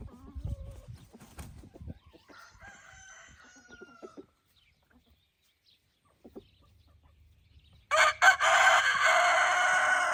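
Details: Roosters among hens in evening light: a distant crow with a long, falling tail sounds first, then after a pause a close, very loud, rasping crow begins and runs to the end. Low rumbles and taps come early on.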